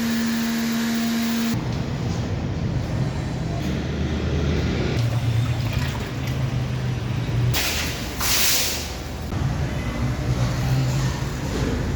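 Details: Mechanical droning and rushing noise, like a vehicle or running water, with a short steady hum at the start and a brief hissing burst later, without any clear animal call.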